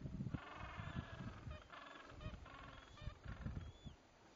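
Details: Gentoo penguins on the Antarctic Peninsula, recorded December 2011, give harsh, braying calls in stuttering bursts of rapid pulses, rising and falling, over a steady low rumble of wind.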